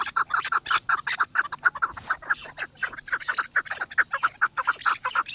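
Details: Excited chukar partridge in Pakistan, moving in circles around a female, gives a long, even series of loud, throaty chuck notes, roughly two per second, sustained throughout without a break.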